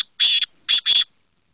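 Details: Black francolin (kala teetar) calling: three harsh, grating, buzzy notes. A longer first note is followed after a pause by a quick pair of shorter ones. No other sounds are heard.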